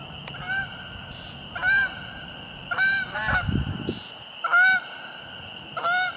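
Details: Nasal, buzzy peents from an American woodcock at Fresh Pond in Delaware Seashore State Park, about 6:20 pm on a March evening during sky-dancing; loud single calls repeated roughly every second, a steady high ringing hum and a brief low rumble behind.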